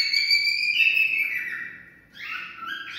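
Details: Cockatiel song for stimulating mating: a long steady whistle that dips slightly and fades, then a quick upward-sliding whistled phrase.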